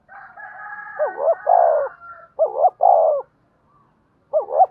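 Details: Spotted dove in the 'giọng đồng' style, used as a lure to provoke wild doves. A faint murmur leads into rolling coo phrases with wavering double notes and long hollow coos. Another phrase begins at the end.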